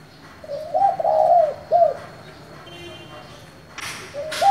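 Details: A 'giọng thổ'-style spotted dove calls to excite wild-caught doves. One full hollow coo phrase: a short soft intro, a drawn-out hoot and a clipped end note. Another phrase begins near the end. Two loud broadband knocks.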